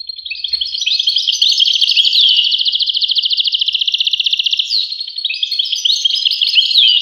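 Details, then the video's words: Goldfinch singing a long, rapid tinkling twitter, with a stretch of quick, evenly repeated buzzy notes in the middle and lively slurred chirps resuming toward the close. "voice carduelis- Tweets the birds. Tones a bird Goldfinch. voice goldfinch-"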